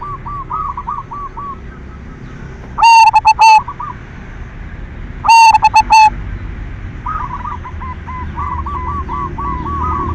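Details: Lure song of a silver zebra dove, used to rouse other doves into singing. Two loud, clipped, bubbling coo bursts about two and a half seconds apart, framed by quieter trilling coos in the background.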